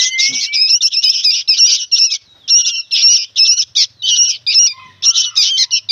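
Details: Sooty-headed bulbul young, very noisy: a thin rising whistle opens, then clustered harsh buzzy squawks in short bursts separated by brief silences.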